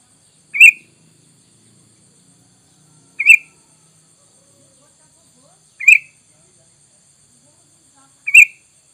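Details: Sooty-headed bulbul giving single sharp, bright chirps, four of them at roughly two-and-a-half-second intervals, on a lure track played to make wild bulbuls respond; otherwise quiet.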